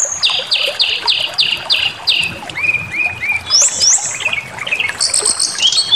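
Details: White-rumped shama, song meant to provoke aggression: a run of six identical fast buzzy high notes, then lower slurred whistles and rising and falling sweeping phrases, varied and loud.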